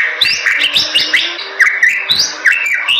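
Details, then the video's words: A Bali myna sings a busy run of quick whistled notes and sharp up-and-down slurs over constant chatter, with a faint low steady hum beneath. "Suara Jalak Bali Super Gacor"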